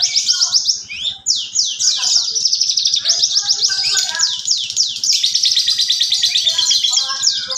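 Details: Parva bush lark in a cage, singing hard with sparrow and canary imitations: rapid sweeping downslurred notes run together into a loud, high, almost unbroken trilling chatter, with faint lower warbles and a low pulsing hum.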